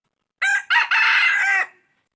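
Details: Young third-generation decoy rooster from the 2022 season crowing once: a short broken opening, then a long, hoarse, steady crow lasting over a second.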